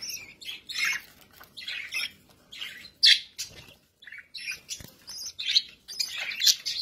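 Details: Kept budgerigars chattering in quick bursts of scratchy, warbled chirps, with short gaps between phrases and a few sharper squawky notes.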